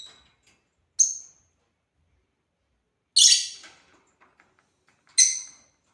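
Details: Playing African lovebirds give three harsh, high shrieks about two seconds apart, the middle one longer and raspier, with soft ticking and rustling noises between them.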